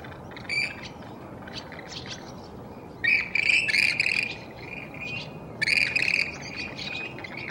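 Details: Western grebes at early-morning sunrise during mate selection, giving shrill, trilled high calls in short bursts around the three- and six-second marks over steady background noise.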